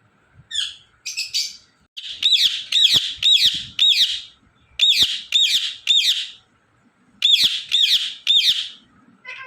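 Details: Indian ringneck parrot screeching in rapid series: loud, grating arched calls come in groups of three or four, about two a second, broken by short pauses, with a couple of softer chirps at the start and end.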